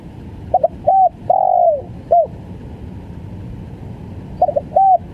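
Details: Tekukur, the spotted dove, in gagap full style: a stuttered pair of notes, a short coo, a long downward-slurring coo and a hooked final note, then the stammering opening starts again.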